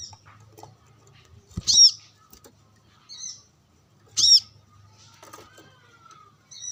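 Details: Brown-throated sunbird, a caged bird sunbathing and calling to wild rival birds, gives loud sharp high chirps in paired arching notes, two strong bursts about two and a half seconds apart with softer high twitters between.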